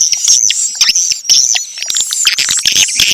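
Swiftlets twitter in a dense, high-pitched chatter of quick chirps and buzzy trills, overlapping almost continuously with no pause.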